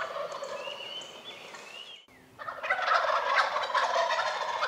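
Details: Wild turkey in early spring, apparently in Rhode Island, giving a loud, rapid, rattling gobble that breaks out after a short quiet gap; thin high bird whistles are heard before it.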